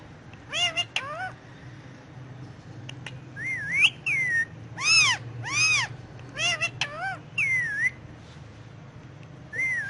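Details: Indian ringneck parakeet talking in Urdu/Hindi on pillows indoors: loud arched, speech-like syllables in short clusters, mixed with rising-falling whistled phrases and brief pauses between utterances.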